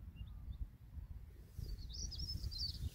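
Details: On Greenham Common on 28 March 2022, a European stonechat gives faint, high, scratchy notes, a few brief chirps, then a quick burst in the second half, over a steady low wind rumble.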